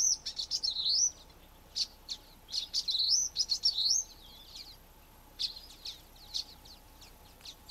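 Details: A flock of common waxbills giving contact calls and song: high, thin twittering notes with wavy rising-falling buzzy phrases, in bursts separated by short pauses, over faint steady background hiss.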